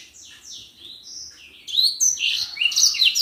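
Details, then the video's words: Common iora singing for a tutor recording, starting with soft, descending whistled slurs, then breaking into a loud, dense chatter of high chirps. "Burung Senger gacor buat masteran"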